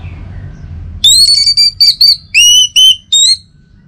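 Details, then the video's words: Orange-headed thrush song used in the morning to draw other birds into singing. After a second of quiet, a loud series of rich whistled phrases, some rising and some falling, follows in quick, uneven bursts. "Saatnya Buat ANIS MERAH NGEPLONG Gacor dirumah. Pancing dengan suara burung ini baik pagi hari."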